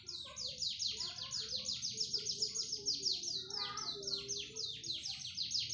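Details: Continuous rolling trill from a panda canary, made of rapid downslurred notes repeated several times a second, briefly broken by a lower warbled phrase before the trill resumes.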